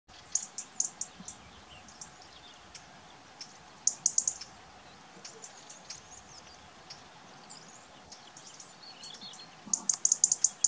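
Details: European robin (Erithacus rubecula), call.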